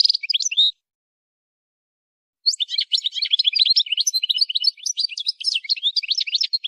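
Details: A goldfinch sings in a song-training recording. A brief burst of twittering is followed by about two seconds of silence, then a long, dense run of rapid, jangling chirps and trills.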